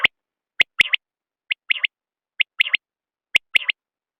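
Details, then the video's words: Common quail calling steadily, with sharp whistled three-note phrases, one note and then a quick pair, repeated roughly every second, four phrases in all, with no other sounds. "بٹیر کی آواز/ quail bird sound"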